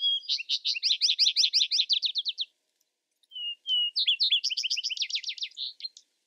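Vesper sparrow song: two clear opening notes, then a rapid, sweet trill of slurred notes, given twice with a brief pause between.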